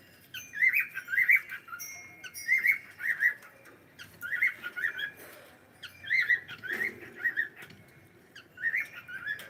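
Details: A pet cockatiel whistles a warbling phrase of bright, twisting notes, repeated in bursts about every second or two, clear against a quiet room.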